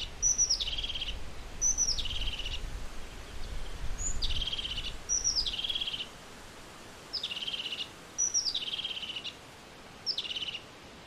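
A European crested tit repeats its call about every second and a half: a thin, high note and then a short, buzzy, purring trill. Faint low rumble in the background.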